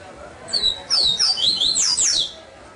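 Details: Caged double-collared seedeater, a captive-bred bird, singing a brief, high, sweet phrase of slurred whistles and fast twittering notes over a faint low background murmur.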